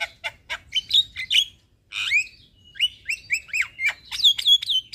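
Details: Lure song of a Javan myna, meant to get a quiet, stressed caged bird singing. Varied phrasing: clipped chirps, a rising whistle, a brief pause, then a busy string of swooping, slurred whistles climbing in pitch.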